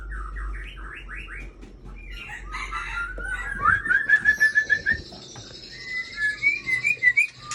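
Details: Aceh white-rumped shama, a breeding bird, singing rapid repeated trilled notes, a fast run of clear pulses, and high twittering phrases near the end.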